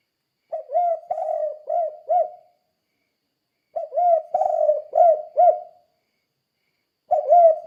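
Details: Tekukur or spotted dove repeating its "kuk 2" coo to coach other doves into singing: three phrases of four or five soft low hoots each, a second of quiet between them, each with one long burry note.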